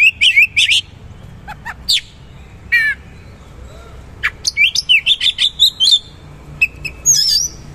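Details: Oriental magpie-robin in full song with rough, richly filled material. Loud whistles and sharp clicks give way to a fast, rhythmic run of repeated chirping notes, then a final squeaky flourish.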